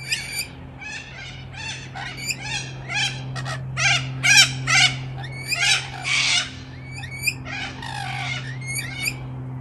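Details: Wild rainbow lorikeets bickering on a Melbourne balcony in Australia: loud, grating screeches come in quick uneven bursts, more than two a second at times, with a low electrical hum behind them.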